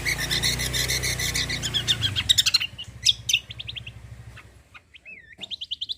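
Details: Javan grey-throated white-eye singing to draw song from other birds: a fast, buzzy, high trill for two seconds, then scattered sharp chirps and a short rising whistled series, with low droning hum underneath.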